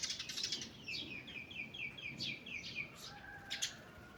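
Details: Morning forest birdsong: busy high chatter opens, then a clear run of about ten short downslurred whistles in quick even succession, followed by a lower thin whistle and sharp high chips.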